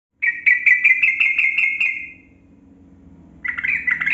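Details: Yellow-vented bulbul (trucukan kebo), a long rapid 'gacor ropel' song used as a lure to make quiet caged bulbuls sing. Eight quick bright chattering notes over two seconds, a pause, then a renewed burst of bubbly notes.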